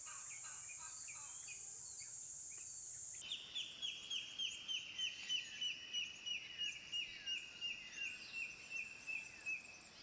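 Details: Rufous-lored Kingfisher, a Philippine endemic recorded on Luzon or in the Visayas, giving a fast series of clear, high, slightly falling whistled notes, about three per second, after a steady high insect buzz.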